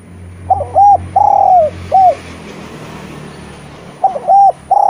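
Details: Song of a Eurasian collared dove, meant to coax lazy spotted doves to sing: a three-part coo with a long middle note, a pause of about two seconds, then the phrase starts again, over a low background hum.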